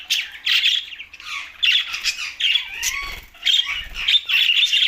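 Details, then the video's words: Green budgies from Larkana, Sindh chatter almost without pause: dense, harsh warbling chirps and squawks come in overlapping bursts, with a soft rustle near the middle. "Green Budgies Talking"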